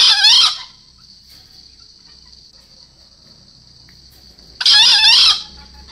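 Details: Green junglefowl, four months old, crowing twice: a short, harsh, raspy burst at the start and another about four seconds later. A thin, steady high whine runs continuously between the crows.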